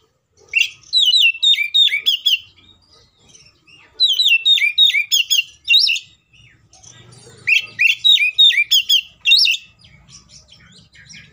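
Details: Agitated fighting song of an Oriental magpie-robin, used as a lure to make rival birds sing: three bursts of rapid, bright whistled and chattering notes, each lasting about two seconds and separated by short pauses, with a faint low hum behind.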